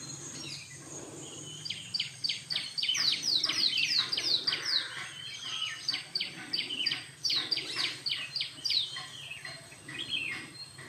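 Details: A flock of jungle babblers grooming gives harsh, squeaky chattering notes, several birds overlapping in quick bursts, over a steady high insect whine.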